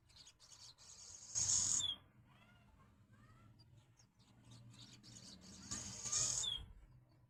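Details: Swallows at a window, calling in two loud, harsh, high bursts with a short downward slide at the end, separated by a few faint, brief chirps.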